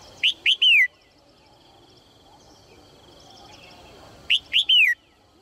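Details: Female red-whiskered bulbul calling to encourage males to sing: two phrases about four seconds apart, each two short upslurred chirps followed by a longer clear whistle sliding downward, with faint high chirping in the background.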